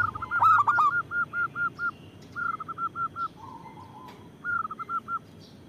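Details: ['Loud local zebra dove used as a lure and a singing prompt. A harsh stuttered opening gives way to repeated phrases of about five quick, clipped coos, with a lower soft coo between phrases.']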